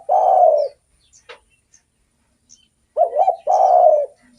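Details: Spotted dove in full song, used as a lure for other doves. A trailing long coo ends one phrase. After a quiet gap a complete phrase follows: bubbling double coo, then a drawn, rough, falling note.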